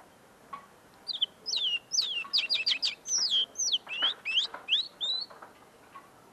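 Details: Tame common linnet singing close up in its cage, song not yet fully clear: a rapid run of sharp, downslurred twittering notes, roughly three per second, with short gaps and faint background noise.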